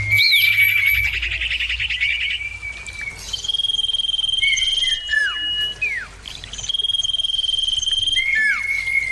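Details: Common irons calling back and forth: a buzzy trilled phrase opens, then long sustained clear whistles alternate with quick falling slurred notes, loud and clean over a quiet low rumble.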